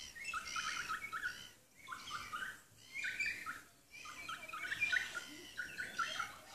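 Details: Noisy kaka, native parrots on Stewart Island, New Zealand; repeated bursts of raspy, scratchy chatter in phrases about a second long, separated by brief pauses, busy overlapping squawks.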